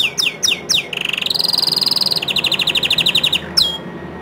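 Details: Bottle-green canary singing as a tutor for young and untrained canaries: four falling whistled sweeps, then a steady buzzing trill, then a long series of rapid clipped pulses, ending with a single high downward slide.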